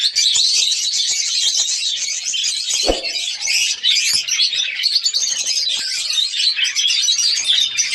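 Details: Breeding colony of budgerigars with constant loud, high warbling chatter from many birds, and a single sharp knock or click near the third second.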